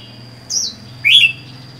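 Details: Lone caged red-whiskered bulbul, four months after capture: two quick whistled notes, a high downslur followed by a louder lower slurred chirp, over a soft low hum.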